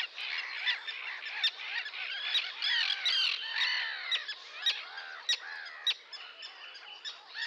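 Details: Sandwich terns squawking in a crowd: harsh, grating calls in irregular bursts, scattered sharp clicks, and a dense chorus that thins slightly toward the end.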